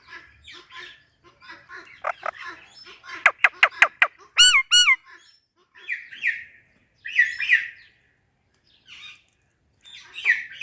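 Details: Ringneck parrot greeting an Alexandrine parrot with clear talking: scattered word-like syllables, then a rapid run of sharp repeated notes and two wavering whistles, followed by more speech-like phrases with silent gaps.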